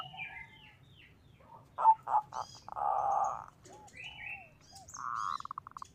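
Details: Local zebra dove in strong song, used as a lure for other doves: quick throaty coos leading into a long rolling trill, then a fast pulsed burst, amid scattered high chirps of other birds.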